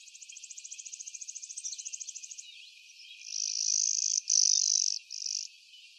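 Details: Clay-colored sparrow near McGill Road, Blackman Township, Jackson County, Michigan, on 12 May 2023: a fast, evenly pulsed high trill lasting over two seconds, then two loud, flat, insect-like buzzes separated by a short gap.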